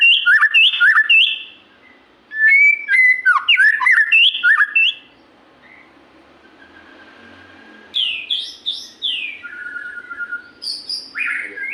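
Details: White-rumped shama in energetic 'gacor' singing: bursts of rich, varied whistles and sharp chirps, a quiet pause with faint background hiss, then more loud, swooping whistled phrases.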